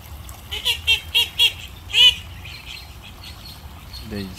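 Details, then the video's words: African goose goslings peeping: a row of five clear, high, downslurred peeps about a quarter second apart, then a louder single peep, over faint background noise and a brief low sound at the end. "baby African geese"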